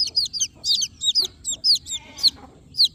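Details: Several newborn baby chicks chirp at once, high, bright peeps overlapping and crowding together in a dense, uneven chorus, with a faint lower sound near the end.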